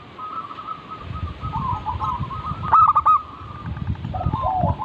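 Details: Local zebra dove coo series for prompting song: a long, steady, mid-pitched trill, one loud stacked burst around the third second, and a faint lower voice, over rumbling low background noise.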